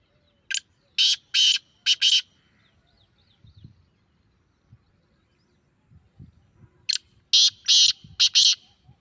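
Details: Grey francolin (teetar) calling, played to get a kept bird to answer: two bursts of loud, harsh, grating notes, a group of four near the start and another of four near the end, with quiet low rustling between.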